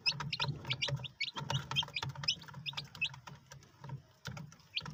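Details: Several white Polish chicks cheeping rapidly, brief bright peeps tumbling over one another about twice a second, with a low droning hum beneath and scattered clicks and knocks.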